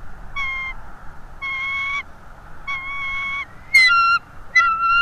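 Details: Bald eagle calling on a live eagle camera: a series of clear, whistled, slightly harmonic notes held about half a second each, repeated roughly every second, ending in higher, squeakier chattering notes over a faint background hum.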